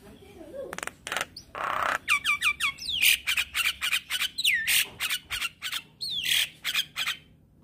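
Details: Head-nodding Black-winged starling singing vigorously: a dense run of loud harsh squawks and chattering bursts interspersed with looping whistled notes that dip and rise, repeated several times a second.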